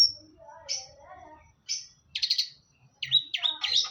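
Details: Long-tailed shrike giving a varied song: sharp high whistles, soft low warbling, a rapid buzzy trill, and a scratchy run of mixed high notes at the end.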